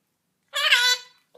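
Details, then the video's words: A pet Quaker parrot (monk parakeet) in a room, one loud harsh squawk lasting about half a second, with a person calling for it before and after. "Talking Quaker parrot"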